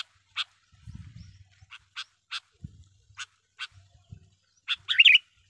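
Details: Sooty-headed bulbul song used as a lure call for wild bulbuls: sharp chirps spaced about half a second apart, ending in a quick bubbly warbled phrase, over low rumbling background noise.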